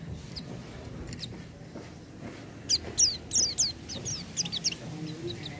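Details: Oriental white-eye song in a loud, chattering "gacor" style. After a quiet start, a string of thin, high, downslurred notes comes in bursts during the second half, over faint low background noise.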